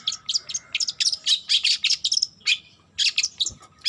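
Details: Long-tailed shrike, young and still learning to sing, delivering clusters of high squeaky chirps and scratchy trills in short bursts separated by brief gaps.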